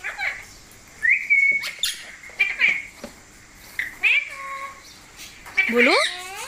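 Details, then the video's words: Pet parrot indoors, its owner coaxing it in Hindi to speak: bright tonal whistles and upward sweeping notes in short bursts, separated by quiet gaps, with the owner's voice between calls. "Funny Parrot Sounds"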